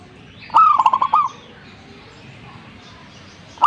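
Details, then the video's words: Zebra dove singing vigorously: one phrase of a clear opening coo followed by a quick run of four or five short, bubbling staccato notes. The start of a second phrase is cut off at the end. Soft background hiss. "gacornya perkutut ini"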